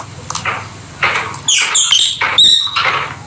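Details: Pet rosy-faced (peach-faced) lovebirds playing together: shrill, harsh chirps and squeaky high calls in quick irregular bursts, with rustling and indoor background noise.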